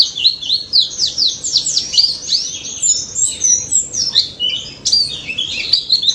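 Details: Daput white-eye delivering loud ngalas song as a lure for non-singing white-eyes: rapid rolling sequence of high curved whistles, then scattered sharp chips and trills toward the end.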